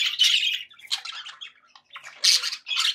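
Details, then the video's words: Happy budgerigars give short squawky chirps and scratchy warbled notes, a loud burst at the start and another near the end with softer chatter between. "happy budgie sounds"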